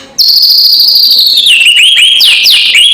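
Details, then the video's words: White-rumped shama, kretekan provoking call: one long high whistle sliding slowly down, followed by quick looping up-and-down slurs, loud and clean. "SUARA PANCINGAN KRETEKAN MURAI BATU KERAS BIKIN EMOSI SEHARIAN"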